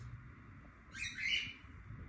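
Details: A baby cockatiel walking around gives one short, harsh, raspy call over a steady background hiss.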